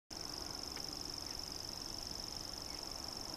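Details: A common grasshopper warbler at Tabulový vrch, Olomouc, on 27 June 2015, reels without a break, a high, dry, insect-like trill held at one steady pitch, over faint background hiss.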